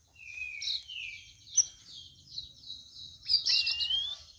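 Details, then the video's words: Sooty-headed bulbul four days into care, responding to other birds under cloudy skies: a long whistled note gliding downward, a sharp click, then a bright burst of slurred notes amid a constant thin high tone. "CUCAK RAWIS HASIL RAWATAN HARI KE-4 LANGSUNG BISA NYAUT"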